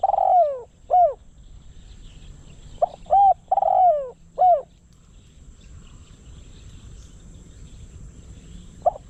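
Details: Cooing decoy spotted dove, kept for luring wild doves: two bursts of resonant notes, each mixing short arched coos with a longer downward-falling one, followed by quiet with faint background rumble.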